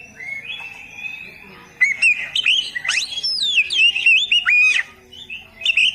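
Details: Oriental magpie-robin (kacer) masteran song for beginners: a quiet level whistle, then energetic bursts of looping, sharply sliding whistled notes and quick trills, ending in softer phrases.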